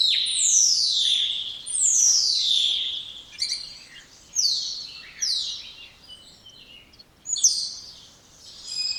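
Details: Spotless starling singing: loud, clear whistles sliding steeply downward, repeated in bursts with shorter whistled and buzzy notes between them and quieter pauses near the end.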